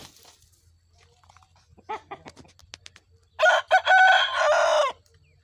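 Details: Aseel rooster from Pakistan giving a harsh crow of three broken segments lasting about one and a half seconds, preceded by scattered clicks and soft clucks.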